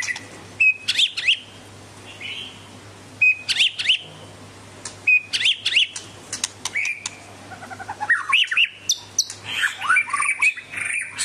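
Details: Medan white-rumped shama singing short bursts of sharp high chips and whistles, repeated roughly every two to three seconds, ending in a busier tumbling run of notes, with a low background hum.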